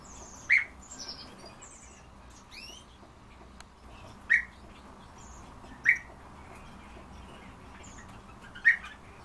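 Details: Himalayan bulbul calling with sharp, loud chirps repeated every one to three seconds, four clear notes in all, while other birds add thin, high twittering and rising whistles in the background.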